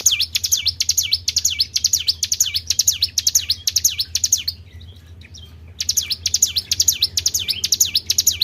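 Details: Tribel bird call for luring other birds: rapid high notes that plunge and rebound, roughly two each second, pausing for about a second midway before resuming, over a low background hum.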